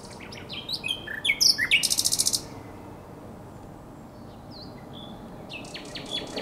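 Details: Nightingale phrase recorded at night at the Żerań Canal, April 2022: a jumble of whistles leading into a loud, high, dry rattle, followed by near silence and a few soft notes.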